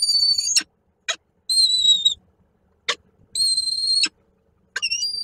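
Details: Male peregrine falcon bringing a prey gift at Koszalin, 8 March 2023; the female refuses it and leaves, and the gift is hidden in a corner. Long, high, steady whistled wails with rich overtones alternate with brief sharp ticks.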